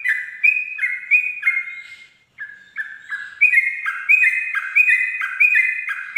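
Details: Ropel-style dawn song of a sooty-headed bulbul: short two-part bubbly phrases repeated about every half second, a brief silent break midway, then a quicker, denser run of the same chirping notes.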